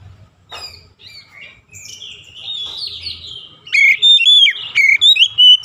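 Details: Soft warbling opens this oriental magpie-robin song, followed by a loud series of clear repeated whistles, from daily training meant to produce a long rolling song.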